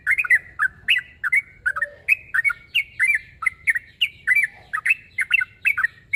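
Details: Yellow-vented bulbul (trucuk), in fighting mood and calling a rival, delivers continuous bubbly, gurgling chirps in close succession for about six seconds, with a faint lower note near the middle.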